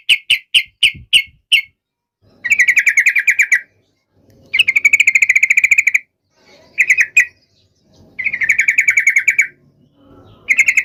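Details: Yellow-vented bulbul giving an intense fighting call meant to provoke other bulbuls into answering: a few sharp separate notes, then bursts of fast buzzy chattering trills about one to two seconds long, separated by short silences.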